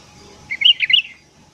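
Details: Morning sooty-headed bulbul, used as a lure for wild bulbuls: a short, rich, liquid phrase of several rolling notes lasting under a second, in a quiet setting.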